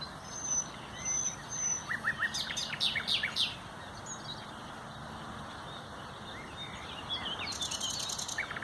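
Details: Common nightingale on 30 April 2021, singing a lively burst of sharp, clicking and whistled notes in quick succession, a pause, then a very fast, high buzzy trill toward the end.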